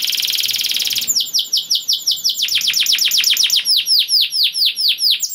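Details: Canary in full song to prompt breeding mood in other canaries: a buzzing high trill, then strings of fast downswept notes that gradually space out into louder, slower sweeps.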